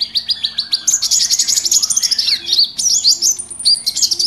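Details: Crowded chatter of mixed small birds used for bird trapping, with fast high chirps, rising whistled slurs, a descending trill and long thin tones layered together.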